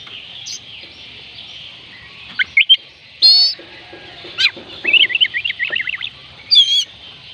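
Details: Oriental magpie-robin (kacer) song intended to make reluctant birds sing: sparse high notes open into a ringing whistle, then a rapid chattering run of quick warbled notes and a final bright phrase.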